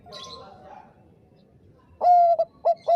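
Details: Zebra dove of the Bangkok type, played to excite rivals into answering, gives a loud long coo followed by two short clipped coos after a quieter, faint warbling opening.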